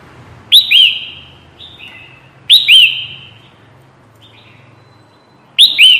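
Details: Red-whiskered bulbul calling as a trapping lure: loud, liquid, slurred whistled phrases about every two to three seconds, each followed by softer trailing notes, over a faint low hum.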